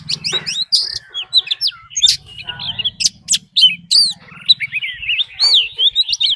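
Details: Oriental magpie-robin fighting song, a decoy recording with a wild female's call: a busy jumble of high chirps, sharp upswept whistles and warbles. A low droning hum runs underneath.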